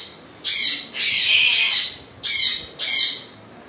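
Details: Four loud, harsh screeches from an African grey parrot, each lasting about half a second, the middle one longer and grating, with near silence between them.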